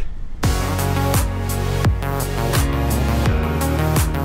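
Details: Dubstep-style electronic track with booming low bass sweeps and regular drum hits; no animal voice is heard.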